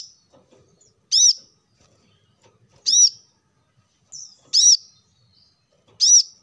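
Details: Plain-throated sunbird, played as a lure recording to coax lazy caged birds into singing: four sharp, high, arched chirps with ringing overtones, about one every 1.5 seconds, with a fainter slurred note between them on a quiet background.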